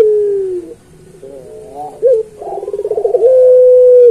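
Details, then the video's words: Puter pelung dove song for training young pelung birds. A falling coo trails off, soft throaty notes follow, then a stuttering run of beats builds into a long, clear, level coo to the end. "Suara Burung Puter Pelung Masteran"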